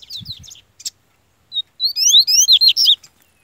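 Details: A captive yellow-bellied seedeater (coleiro baiano) in full form sings a quick, loud run of high, sweeping whistled notes that rise and fall for over a second. A man urges it on and speaks of it fighting over territory.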